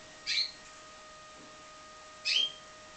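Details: Pied Timbrado canary bred in captivity, heard at lower volume giving two short high chirps about two seconds apart, each with a bright whistled edge, over a soft hum.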